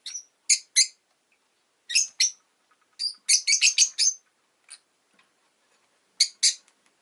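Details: Shrill, rapid chirping from a pet rosy-faced lovebird: loud buzzy notes in quick clusters of two to five, pausing briefly between bursts, with an otherwise silent background.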